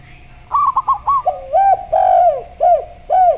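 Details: Zebra dove singing in the slow style, set against a spotted dove in gayer style: a quick run of short, clipped, bubbling coos, followed by deeper, drawn-out arched coos repeated about twice a second, over a steady low hum.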